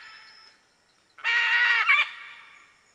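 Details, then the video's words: One sustained, raucous, buzzy screech from a red-and-green macaw, nearly a second long, with a brief kink near its end, after a quiet start. "CANTO DA ARARA-VERMELHA"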